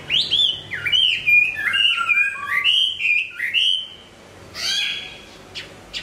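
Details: Song of a Hwamei during its moult: rich, varied whistled phrases sliding up and down in quick succession, then a pause broken by a few sharp, buzzy high notes.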